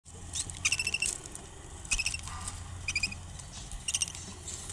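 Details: Clutch of budgerigar (parakeet) chicks: short high chirping bursts in clusters, with soft rustling between calls and a low steady hum underneath.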